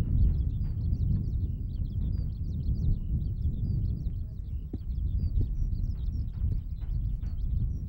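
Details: Eurasian skylark at Sone Shinden farmland, Kitakyushu, Japan, an open habitat, pours out a continuous, high, rapid stream of chirps and trills without pause, over a steady low rumble of wind; it flies upward.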